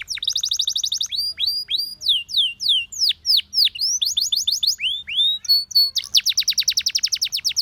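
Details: Training song of a canary: high rapid trill, then a run of loud rising and falling slurred whistles, a brief pure tone, and a closing fast rattling trill of repeated notes.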